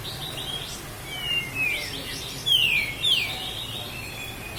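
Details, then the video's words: Master recording of a Sooty-headed bulbul, Lahat, used to train cage birds: soft warbling broken by a few clear whistles that slide downward, the loudest two close together midway. "Masteran Burung Kapas Tembak Asli LAHAT"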